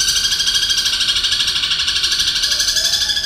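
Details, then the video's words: Continuous fast, rattling chatter from a long-tailed shrike mimicking the long chattering of a lovebird: a dense, steady, high-pitched trill pulsing evenly for over three seconds. "Suara Burung Cendet Materi Kombinasi Tengkek Buto Kunti Gereja Tarung dan Lovebird Ngekek Panjang"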